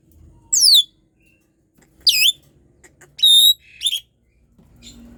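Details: Asian pied starling singing gacor to stir reluctant birds: a few isolated high notes, each a quick downward sweep or hooked chirp, spaced by about a second of silence.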